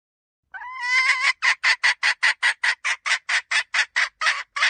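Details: A hen gives one long, nasal, wavering note, then a steady string of about fifteen sharp, hoarse clucks, roughly three per second, with nothing else audible.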